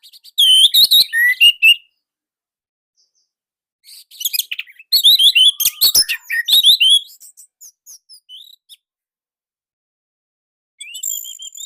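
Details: Indonesian orange-headed thrush song, loud and tightly packed, used as training material for young birds. Bursts of rapid, varied whistles and sharp chirps alternate with silent gaps, and a softer twittering section comes near the end.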